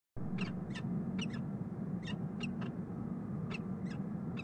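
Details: Peregrine falcon pair bonding in the nest box on Rhodes Tower, Columbus, Ohio, 9 March 2015, giving short, sharp, scratchy chips in irregular pairs and singles over a steady low rumble of city traffic.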